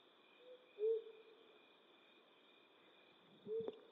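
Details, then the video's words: Flammulated Owl (Psiloscops flammeolus), western North America, at night: two low, soft single hoots about three seconds apart, over a steady high insect drone. "Flammulated Owl Hooting"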